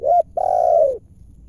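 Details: One close call of a wild spotted dove lured during trapping in Indonesia: a short hoot followed by a sustained, gently falling coo lasting over half a second.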